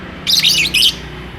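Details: One loud, grating, high-pitched lovebird squawk in two joined parts, from a bird courting and wanting to mate.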